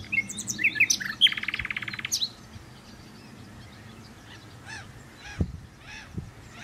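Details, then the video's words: A common nightingale sings a rich phrase of sharp whistles and a fast, rattling run of repeated notes, followed by softer distant song and a couple of dull thumps. "Nightingale singing"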